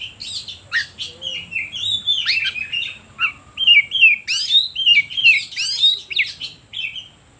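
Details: Kacer, the oriental magpie-robin, giving a lure song to make other birds more excited. Fast sequence of bright chirps and upward-sweeping whistles, roughly three per second, growing louder midway.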